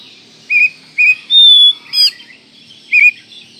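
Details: Oriental magpie-robin, kacer manjur style, singing for a training recording: loud clear whistled notes, one long level whistle held almost half a second, then rising chip and a final whistle, spaced by short pauses.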